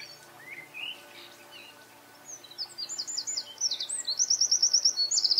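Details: Eurasian wren singing: a few scattered high chirps give way to a loud, accelerating run of rapid high trills, each burst a tight series of sharp repeated notes, rising in strength toward the end.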